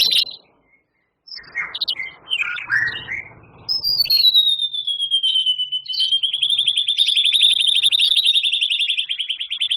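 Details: Long rich volley from a champion white-rumped shama, mixing canary, cililin and lovebird imitations: jumbled scratchy notes, then a sustained, fast, buzzy trill that drops slightly and holds steady.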